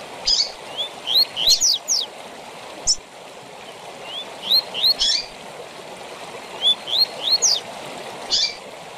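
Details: Tui tui zel zel song of a double-collared seedeater, recorded for training caged birds: runs of three or four rising whistled notes end in rapid scratchy sweeps, repeated three times against constant hissing noise.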